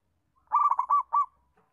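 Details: Zebra dove, local perkutut, song played to teach young doves to sing: one quick rolling phrase of soft cooing notes, a fast trill then two distinct coos, on a quiet background.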